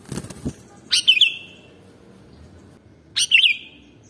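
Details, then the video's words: Sooty-headed bulbul song for stimulating other birds: a rustle or flutter opens, then two short bubbly whistled phrases about two seconds apart, each a quick rising-falling flourish, over faint low hum. "Gampang Ke Pancing Kalo Burungmu Dengar Suara Kutilang ini"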